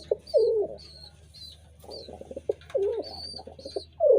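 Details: Pigeons cooing in a series of low, throaty, wavering coos, some bursts broken into quick pulsing stutters, while thin high chirps from small birds repeat above and a low steady hum sits underneath.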